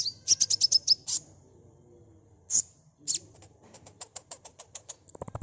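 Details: ['High-pitched sunbird notes used as a lure for fast response: a quick burst of piercing chips, two isolated sharp calls, then a steady series of short ticking notes ending in a thump.']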